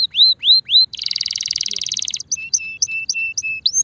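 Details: Spanish Timbrado canary, ready for mating: three rising whistled notes, a dense buzzy rolling trill, then a series of short clipped piping notes and a final rising whistle.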